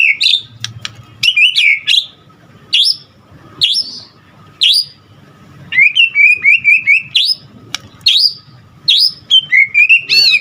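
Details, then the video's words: White-rumped shama in full, lively song rich in varied phrases: loud sweeping upslurred whistles at intervals of about a second, then a fast run of repeated chirps and a closing descending warble. "Murai Batu GACOR Full Isian"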